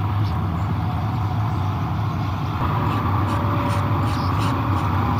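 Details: Loud, continuous low engine rumble from road vehicles, with a shift in tone midway and a few faint high clicks, but no animal calls.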